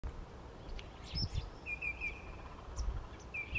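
Common Greenshank giving clear, ringing whistled notes in a short run, then again near the end, with faint higher chirps and steady low wind rumble.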